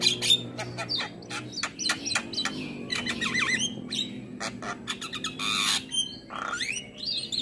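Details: Training recording of Black-winged myna, meant for morning play to make mynas sing: dense chatter of harsh buzzy bursts, squawks and short whistles, with wavering slurred notes and a rising whistle near the end.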